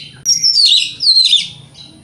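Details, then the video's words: Two loud, descending whistled phrases with rough overtones from a white-rumped shama, sung to provoke other shamas. "Pancingan Kacer Ini - Kacer Jenis Apapun Gak Kuat Nahan Emosinya"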